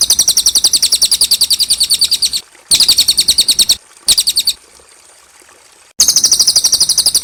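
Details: Clear cililin song played as a training recording for young cage birds: fast series of sharp, high repeated notes in bursts of varying length, separated by short silent gaps.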